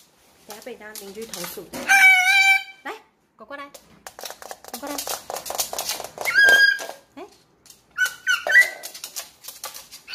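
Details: A seven-month-old blue-eyed (hybrid) cockatoo, suddenly going wild after eating grapes, lets out three harsh, rasping screeches with chattering, mumbled squawks in between, bobbing its head as it calls; squawks fairly steady, screeches in bursts.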